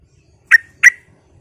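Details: Sooty-headed bulbul lure sound used to provoke other bulbuls: a pair of loud, clear, slightly bubbly notes in quick succession against near silence.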